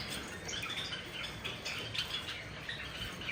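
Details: Java sparrows taking a bath give short, bright chips and twitters throughout, overlapping one another above a steady hiss of splashing water.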